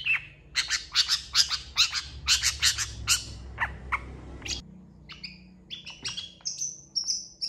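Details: Long-tailed shrike in full lively song packed with varied phrases: a fast string of harsh, scratchy chirps, then a gap and clearer whistled notes with some short buzzy calls, against a faint low rumble.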